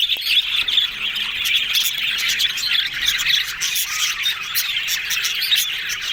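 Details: Yellow budgies described as happy and talking: a dense, continuous chatter of high warbles, chirps and squawks from many birds together, with sharp clicks scattered throughout.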